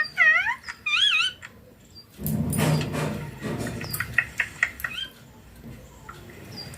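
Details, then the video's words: Pet ringneck green parrot talking: two bright, wavering harmonic phrases at the start, then a broad rushing noise and faint short chirps. "My ringneck green parrot taking"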